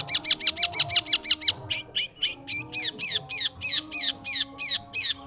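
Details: Long-tailed shrike (pentet/cendet) singing gacor: quick bursts of sharp chirps, then slower, louder down-curving whistled notes about two a second, over soft background music.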